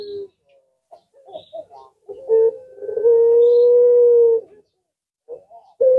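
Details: Collared dove of the puter pelung type, said to draw answers from other birds. Scattered short soft notes lead into one long, even, low drawn-out coo lasting over a second, followed by brief clipped sounds.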